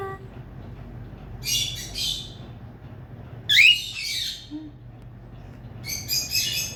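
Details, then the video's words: Pet cockatiel being tamed, its hissing giving way to happier sounds: three harsh, airy hissing bursts about two seconds apart, the middle one carrying a short rising squawk, over a steady low indoor hum. "cockatiel hissing sounds to happy sounds"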